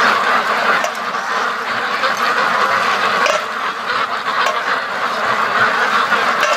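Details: Ducks from a free-range flock of over 650, rushing to the lake or home again, keep up a rough, dense chorus of quacks that swells and dips slightly over six seconds.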